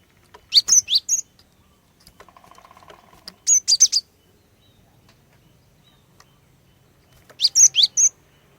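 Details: Female cinereous tit song used as a lure to get males singing: three bursts of four to five high, clipped whistled notes, spaced about three seconds apart, with a faint low hum between phrases.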